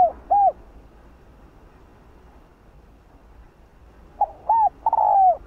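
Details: Spotted dove (cu gáy) in the hạp bổi voice style, used to rouse other male doves. A single soft low coo opens, then after a pause a phrase of two short coos and a longer falling coo, with a faint hum behind.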